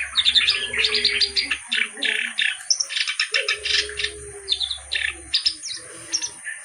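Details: Reed warbler (kerak basi) delivering a continuous, varied song of rasping chatter, rapid note clusters and occasional higher whistles, fading slightly toward the end.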